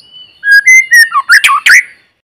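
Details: White-rumped shama singing in forest, Vietnam: a rapid two-second phrase of clear whistles stepping upward, then harsher buzzy, broadband notes and a final downslurred whistle, loud and close.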